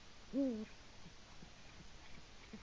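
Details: A male Eurasian eagle-owl hoots once, deep and briefly wavering, while calling to his mate from the nest in Latvia; recorded by a live nest camera around 6:22 am on 5 March 2018, with soft hiss behind.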